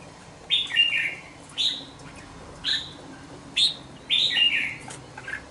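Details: Caged young red-whiskered bulbul, two months old, repeats short sweet phrases about once a second; each is a high note dropping into a burbling lower trill.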